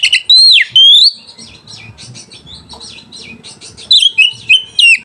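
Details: Oriental magpie-robin lure song meant to stir rivals and mating drive: loud swooping whistles open and close the phrase, with a quieter stretch of scratchy, chattering notes between.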